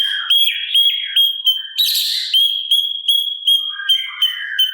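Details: Sooty-capped babbler singing in a training recording for songbirds, a bright piping whistle repeated about two to three times a second with brief warbled notes between, and a short burst of other chirping midway.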